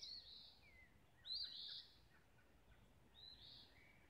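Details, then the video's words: Birds singing at sunrise along a lane in Olivehill, Tennessee: high bright warbled phrases with slurred rising and falling notes, a louder burst in the middle, and quieter lower notes between them. "Sunrise melody of birds"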